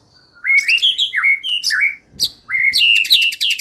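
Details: A white-rumped shama lure song meant to set birds singing: clear rising and falling whistles in short phrases, a sharp click, then a whistle followed by quick high repeated notes.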